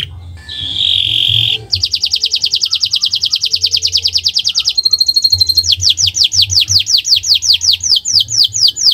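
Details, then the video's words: Canary singing owor-owor style song for training caged birds: a harsh buzzy burst, a long rapid high trill with a brief ringing pause, then a slowing series of descending whistled slurs. "Gacor Owor-owor uhuii"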